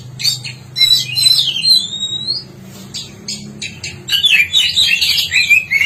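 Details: East Javan black-breasted magpie-robin in full song, mixing sweet sliding whistles with scratchy bursts and sharp chips. A brief quieter gap comes midway before a rich, jumbled outpouring resumes, with a faint low hum behind it.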